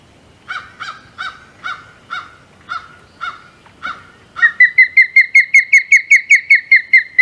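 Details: At a Hog Island nest on 27 May 2020, an osprey is heard after a string of rough, harsh notes. It gives a loud, fast sequence of piercing whistled chirps, each with a downward slur, steadily repeated for several seconds.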